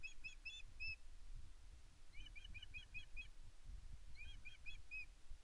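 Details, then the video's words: Nesting female Osprey at Loch Arkaig Nest One on 5 May 2024 asking her mate for fish. Three bursts of rapid, ringing whistled notes, four to six per burst, are separated by short gaps, over a continuous low rumble of wind. "Aida calls for fish but Garry LV0 just ignores her on Loch Arkaig Osprey Nest One"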